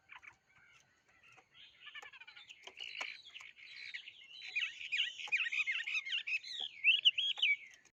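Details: Bird song starting with scattered soft chips, then swelling into a dense, rapid, twittering warble of looping whistled notes that grows loudest near the end.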